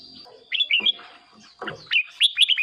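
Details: Red-whiskered bulbul whistling, used to excite caged birds or as a decoy: two short bursts of clear, bouncy notes split by a brief gap, with a faint constant high whine in the background.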